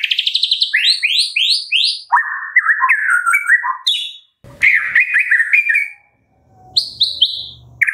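A white-rumped shama sings a rich, varied song: rapid rising whistles, a fast chattering trill, and lower fluty phrases in quick succession.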